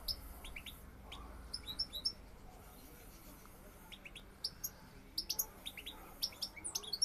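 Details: European goldfinch, a male courting a female, gives scattered high, thin chirps and short twittering phrases in bursts, with quiet gaps between them and a low background hum.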